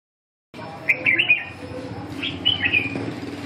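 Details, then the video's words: Red-whiskered bulbul in a practice singing session: short warbled phrases of quick whistled notes, then a second burst of bright chirps a second later, over a steady low hum. "dợt cm 2"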